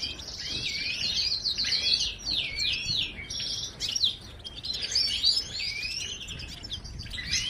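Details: Goldfinch pouring out a dense twittering song of quick high chirps, zigzag slurs and short buzzy trills, barely pausing throughout, over steady faint hiss.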